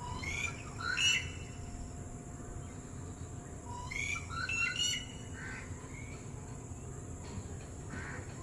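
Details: Red-whiskered bulbul calling out to distant companions: two clusters of sharp, squawky chirping notes about four seconds apart, then fainter scattered notes, over a constant low hum.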